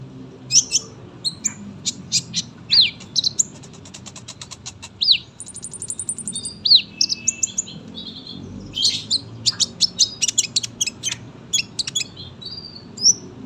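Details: Sunbird kept for tutoring other songbirds, singing a long, dense song: sharp high chirps, thin downslurred whistles and a fast buzzy trill mid-phrase, with brief pauses between bursts.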